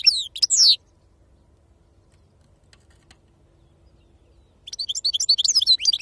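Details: European goldfinch in khalwi sarfati song style: a short burst of bright, descending slurred notes, a long quiet gap, then a fresh stream of fast high twittering.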